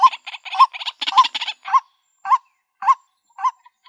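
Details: Female white-breasted waterhen calling for a mate: a quick burst of harsh, clustered croaking notes, then slower single nasal notes that rise and fall, repeated about every half second in a quiet setting.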